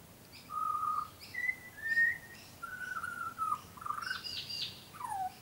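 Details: Young, tame butcherbird sings long flute-like whistles stepping up and down in pitch, followed by a higher burbling phrase and a falling slur at the end.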